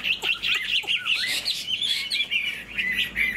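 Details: Chinese hwamei kept in a cage, tail fanned, wing-flicking while singing, pours out quick, bright whistled phrases with looping up-and-down slurs, tightly packed with barely a pause.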